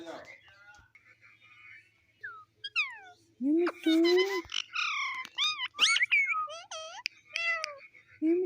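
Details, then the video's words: Talking pet parrot mixing low, voice-like drawn syllables with looping whistles and sliding nasal notes, delivered in a lively, continuous babble. "Mitthu Mitthu Talking Parrot | Cute Parrot Voice"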